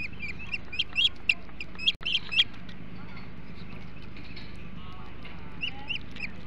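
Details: Ospreys at a Hog Island nest during a large flounder meal, 21 July 2016 at 08:05; a quick burst of sharp, high whistled chirps in the first two seconds, then a few scattered chirps over steady low background rumble.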